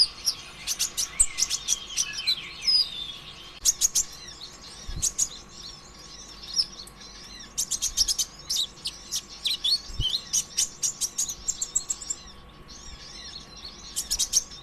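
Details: Sunbird, locally kolibri ninja (green type), in continuous energetic song used as a lure for other birds: long stretches of busy high twittering, sharp chips and rapid trills with brief pauses.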